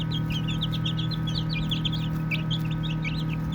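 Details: Baby chicks chirping while playing: a busy chorus of soft, high peeps, each a short downward-slurred note, overlapping rapidly from several birds, over a steady low mechanical hum.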